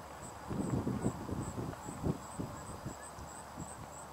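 A distant flock of Canada geese gives low, muffled honks in an overlapping, irregular chorus, about three a second, over a faint steady high hiss.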